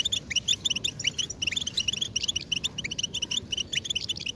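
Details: European goldfinches giving mating and readiness calls used to stimulate males to sing: dense chorus of bright, tinkling twittering notes and short buzzy trills, many birds overlapping continuously, with a low hum underneath.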